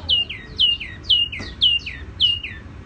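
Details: Tiểu mi songbird with a soft, ringing song: clear high whistled notes in pairs, each pair two falling slurs, repeated six times about every half second, with quiet background.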